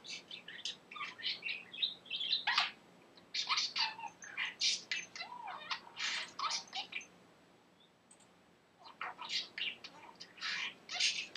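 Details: Talking male budgerigar that picked up new phrases and random laughter; long stretches of fast, gravelly warbling chatter and squeaky syllables, broken by a quiet gap before the babbling resumes.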